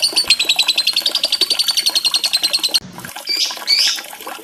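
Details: Lovebird song played as a lure to prompt silent or stressed lovebirds to sing; a fast, steady run of high, sharp chattering notes for nearly three seconds, a brief break, then louder shrill squawks and buzzy chirps.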